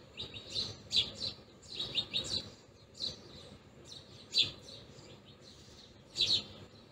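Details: Softer, irregular chirping from feeding house sparrows, with a few quick runs of notes and isolated louder chirps over a low background hum.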